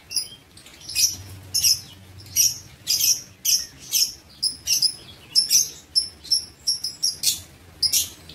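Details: Aviary lovebirds recorded 19 September 2023 repeat sharp, high squeaky chirps roughly every half second, some doubled, in a steady, uneven series.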